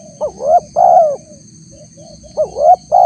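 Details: Lure call of a spotted dove used to attract wild doves: a rising coo then a drawn-out even coo, with soft short notes between, and a new phrase starting about two seconds later; a thin constant hiss sits above.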